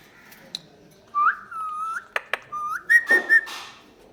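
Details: Pet talking parrot indoors, whistling smooth rising and level tones followed by a few clipped bursts and short repeated notes, with quiet room background.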